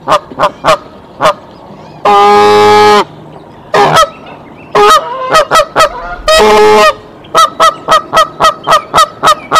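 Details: At a nest holding eggs in Decorah on 27 March 2023, the mother goose sounds the alarm with loud, nasal honks in rapid bursts and harsh drawn-out blasts, and the father goose comes to the nest.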